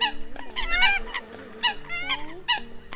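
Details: Eurasian coot calls from the 2020 bird migration season, used as a lure to attract migrating birds: short bursts of nasal, harmonic-rich honking notes with bending pitch, in irregular clusters over a steady low hum.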